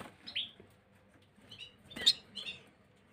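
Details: Gloster canary, 9 January 2023, uttering a few isolated high chirps with quiet gaps, then a louder sharp note and a short twittering phrase.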